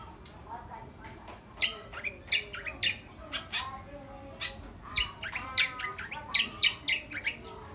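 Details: Long-tailed shrike in active song: a rapid series of harsh, broadband squawking and rasping notes, loosely repeated and rising in density toward the end, over a low steady background hum.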